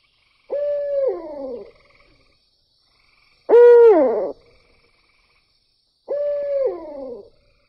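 Barred Owl giving three loud, hoarse hoots about three seconds apart, each held steady and then sliding down at the end.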